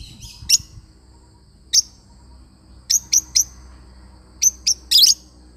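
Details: Lovebird parrot giving sharp, high single chirps and short runs of three, ending in a loud harsh burst, over a faint background hum.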